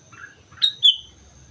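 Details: Lively sooty-headed bulbul song from Mount Slamet: a soft warble, then two bright, liquid whistled notes, the second sliding downward.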